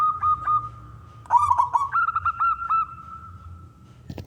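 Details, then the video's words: Wild local zebra dove's energetic song, used to draw other doves into singing: steady cooing tone with pulsed beats, a sudden rougher burst, then a slightly higher run of rhythmic notes fading out. "perkutut lokal gacor suara besar"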